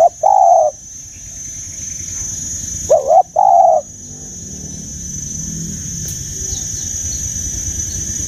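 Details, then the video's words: Spotted dove with a voice described as 'giọng già' (mature voice) gives loud, overdriven cooing notes: a single coo, then a quick double coo a few seconds later, followed by quieter background hiss. "Tiếng Chim Cu, âm giọng già rừng sát bổi"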